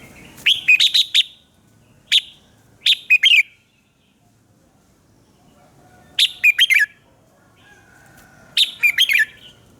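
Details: Morning singing by a red-whiskered bulbul, used to train other birds: five loud, chattering whistled phrases, each a quick burst of several notes, separated by pauses of one to three seconds.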